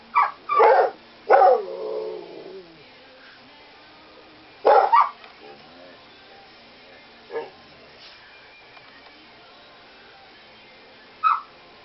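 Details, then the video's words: Pet parrot, female, imitating a small toy dog's barking: three loud yaps at the start, one trailing into a falling whine, then scattered single barks and quieter yips with pauses between. "Sasha the bird finally starts barking!"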